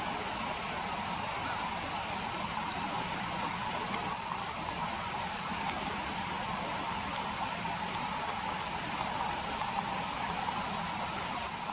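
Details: Common kingfisher calls dubbed over riverside footage from early September 2020: thin, high, sharp whistled notes repeated irregularly, several per second at times, over a steady low hiss.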